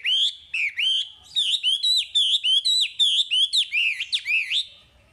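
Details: Chinese hwamei song used to train caged birds: a steady string of loud, clear, slurred whistles, roughly one every half second, each looping up then down, closing with a few sharper notes.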